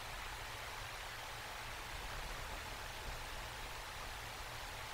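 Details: Even hiss and low rumble, resembling wind or a stream, continue for the whole stretch, with no calls from any animal.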